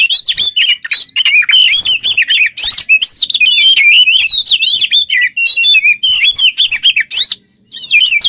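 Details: Captive Oriental magpie-robin delivering an intense, continuous song used to teach other songbirds; rapid strings of whistled and scratchy notes at varied pitches, ending with a brief pause and a fresh burst.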